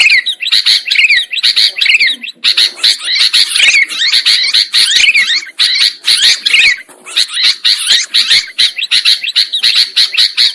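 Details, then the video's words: Lure recording of sooty-headed bulbuls for bird trapping: a crowd of birds chattering continuously, with scratchy, buzzy notes that slide up and down, in quick bursts broken by short gaps. "Suara Pikat Burung Kutilang Ampuh"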